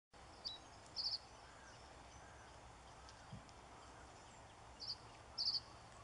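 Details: A male reed bunting singing at Forfar Loch, unanswered: two brief, high phrases about four seconds apart, each a thin lead note and a short jangling burst, over steady outdoor hiss.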